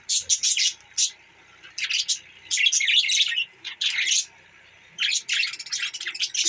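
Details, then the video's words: Budgerigars giving separate bursts of high, scratchy chirps, each lasting under a second, spaced with short silent pauses in a quiet room-like setting. "Australia birds Budgies Parrot Bueatiful Sounds budgies Parrot"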